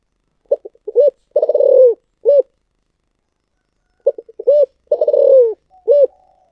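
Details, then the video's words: Spotted dove delivering its 'thổ sấm' style song twice. Quick stuttering notes lead into a hooked coo, then a long burry descending coo, then a final arched note. The phrases are repeated about three seconds apart. "chim cu gáy giọng thổ sấm chuẩn nhất"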